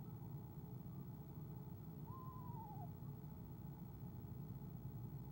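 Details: An Eastern screech-owl trills softly at the arrival of its mate, recorded on a nest camera, 17 February 2015; a short, evenly wavering whinny falls gently in pitch, with a deep steady drone underneath.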